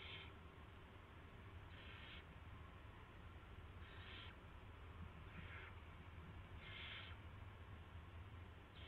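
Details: During a rat delivery by an owl on the evening of March 2, 2016, five rasping hiss-like bursts recur at irregular intervals of one to two seconds above a continuous deep background drone.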